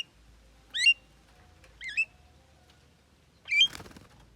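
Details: Javan myna that reportedly can talk, uttering three twisting, wavering syllables, the first two close together and the last followed by a brief scratchy rustle, with little background noise.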